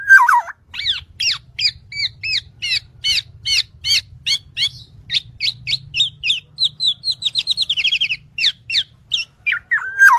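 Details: Black-naped oriole singing in tutoring material: a drawn-out falling whistle opens a long series of quick upswept and downswept chirps, about three per second, ending in a lower slurred whistle.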